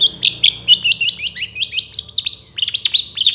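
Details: Young long-tailed shrike in moult, singing a full varied song from a master recording for luring: rapid dense run of high chirps and twisting whistled notes, continuous and busy, faint low hum below.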